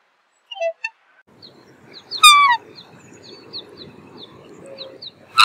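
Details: Black swan calls once with a loud, descending, trumpeting note, with a second call starting at the end; small birds chirp in the background, with a soft low hum throughout.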